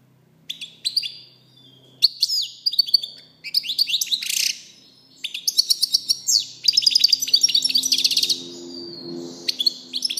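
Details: European goldfinch song of fast liquid twitters, chirps and buzzy trills building into a dense rattling passage, with a faint low hum beneath.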